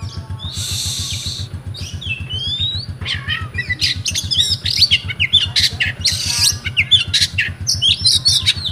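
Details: Rewo rewo singing by a kept oriental magpie-robin in Comal, Pemalang, Central Java, Indonesia: opens with a hiss, then choppy whistled phrases, clicks and buzzy notes growing louder, two more hissing bursts, constant low pulsing hum behind.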